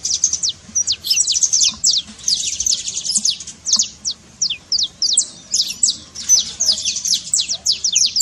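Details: Saffron finch song for stirring a quiet canary, rapid high falling chirps delivered in dense bursts alternating with evenly spaced single notes over eight seconds.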